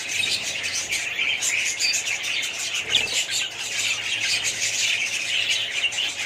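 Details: High, busy twittering from a budgerigar colony, many birds warbling and chirping at once, with occasional sharper squawks.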